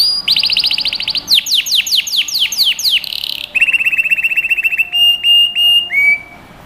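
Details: Young birds' training song from a canary: a fast high trill, a series of strong down-slurred whistles, a lower steady rattling trill, then three short flat whistles and a rising note.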